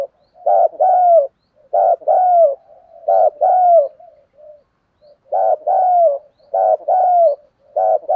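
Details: Spotted dove kept as a decoy to draw in wild doves, cooing loudly and clearly. Paired coos, a clipped note then a drawn-out falling one, come in steady groups of three, a brief pause, then three more.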